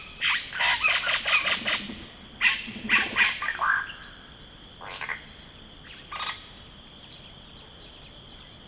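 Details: Yellow-rumped cacique in rainforest: a rapid burst of loud, harsh chattering notes for about three seconds, then scattered fainter calls, over steady high insect drones.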